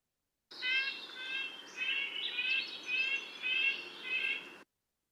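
A Red-breasted Nuthatch gives a series of nasal, tinny notes, like a tiny toy car horn going meep, about six over four seconds, with faint background hiss.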